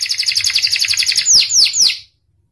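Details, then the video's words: Panda canary singing a quick rattling trill followed by three loud, sharp downward-swooping whistles, then the song stops abruptly into silence. "Kenari panda gacor"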